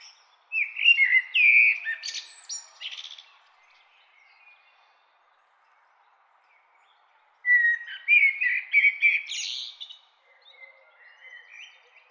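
Common blackbird singing two unhurried phrases several seconds apart, each a mellow fluted warble breaking into a higher, squeaky twitter at the end; otherwise quiet.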